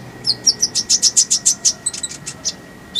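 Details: Konin (kolibri ninja) song used as tutor recording: a fast series of high, sharp chirps repeated about three to four per second, then looser scattered notes, over a steady faint electrical hum.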